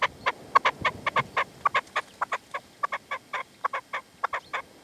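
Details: Partridge and caged decoy (reclamo) calling at sunset in the sierra near Manzanares, 27 February 2014, the wild male refusing to approach; harsh, rasping two-part notes repeated rapidly, nearly twice a second, with no pause.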